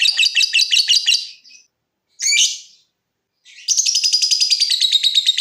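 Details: Lovebird song used to set off trilling in other lovebirds: a pulsing rattle, a pause, one harsh squawk, then a steady, fast, high trill.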